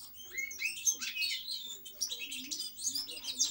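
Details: Goldfinch singing a fast, liquid medley of chirps, rising slurred whistles and brief metallic twitters, run together in bright bursts with tiny gaps, over a faint constant low hum.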